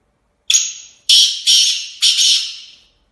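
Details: Black francolin (kala tetar) kept as a pet: a loud grating call of four harsh notes, a brief high tone followed by three rasping, buzzy bursts that fade, each under a second, in a quiet setting.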